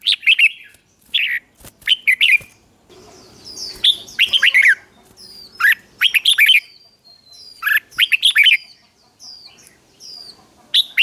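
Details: Red-whiskered bulbul, morning singing training, 'ché kích bổi' style. Long sequence of short warbled bursts about every second or two, mixing descending slurs, clipped chips and thin high whistles.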